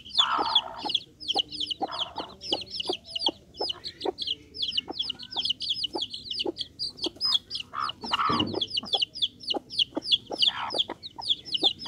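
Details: A group of young Bangkok chickens chirps almost nonstop, bright high peeps tumbling together in quick runs, with regular sharp knocks and a brief louder rustling thump near the end.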